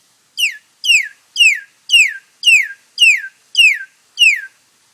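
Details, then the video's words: Black-collared starling making funny noises, said never to have learned to sing from its parents; eight clear, high whistles, each sliding downward, repeated about every half second at an even pace, with no other sounds. "Black Collared Starling making a bunch of funny noises"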